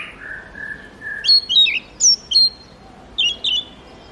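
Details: Murai kampung, or Oriental magpie-robin, giving short high whistled notes and slurs in spaced pairs after a soft lower drawn-out tone at the start.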